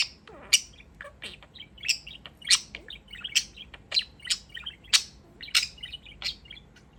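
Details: Male pet budgerigar in beeping mode while dancing: sharp, bright clicks and short beeps repeated rapidly, roughly one every half second, mixed with tiny chirps, loud and close against a quiet room.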